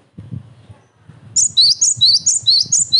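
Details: Cinereous tit singing eagerly, a recording meant to provoke other tits into answering and to train birds: after a second of low rustling, a fast run of high, sharp two-note whistles, each dipping then rising, repeated about twice a second.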